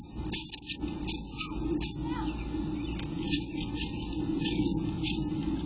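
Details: Day-12 eastern bluebird nestlings in June 2021, heard as short rasping bursts, some grouped in twos and threes, then a quieter stretch before more bursts, all over a constant low background hum.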